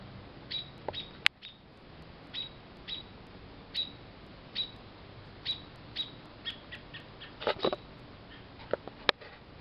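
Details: After strong wind blew a robin nest and chick to the ground in South Western Ontario, June 21, 2012, American robins keep up steady short high alarm chirps at a cat, with clicks and rustling handling noise throughout.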